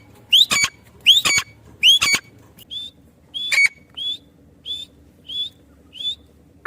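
A female partridge gives a string of short, rising whistled notes, about one every two-thirds of a second. The first several come with sharp clicking bursts.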